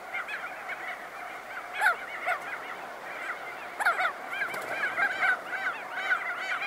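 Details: Crested auklets calling as they emerge from burrows, with wingbeats: a dense chorus of many overlapping nasal, honking notes, some sharper louder calls standing out near the two- and four-second marks.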